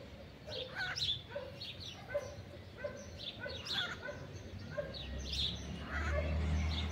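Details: Pair of wild blue-winged macaws courting together high up in late afternoon, giving a run of short harsh squawks and chattering notes, with low rumble building toward the end.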